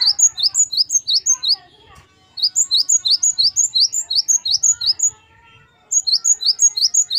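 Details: Great tit, recorded as a training tutor for captive birds, singing 'wucit variasi': crisp, high, rapidly repeated two-note phrases in three runs separated by brief pauses.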